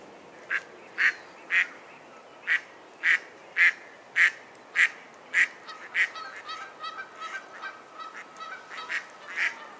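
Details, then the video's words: Mallard, a dabbling duck, giving a long run of loud, harsh quacks about twice a second; later notes grow softer and closer together, with a faint steady tone and light chatter underneath. "Mallard Bird Sound Call"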